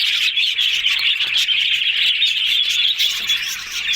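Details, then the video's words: Group of yellow budgies chattering happily: close, continuous warbled chirps and squeaks from several birds, fading slightly near the end. "Yellow Budgies Talking Sounds Happy"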